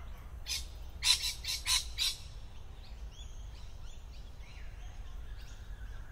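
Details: Lorikeet calling from a tree where it stays hard to spot, camouflaged among foliage; four loud harsh screeches come in quick succession in the first two seconds, followed by fainter thin chirps over a steady low rumble.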